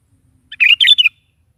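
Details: Morning song of a sooty-headed bulbul in full voice, meant to make a pet bulbul reply: one brief phrase of three bubbly, slurred notes lasting about half a second, clean background.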